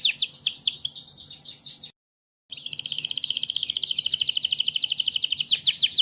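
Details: Training song of a canary for other birds: rapid falling whistles, a short break, then a long, even, rattling trill held for several seconds.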